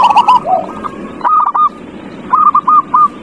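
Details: A zebra dove lure, aimed at a reluctant singer, gives short slurred coos, then two brief crisp phrases of three or four clipped looping notes separated by a quiet gap with soft hiss.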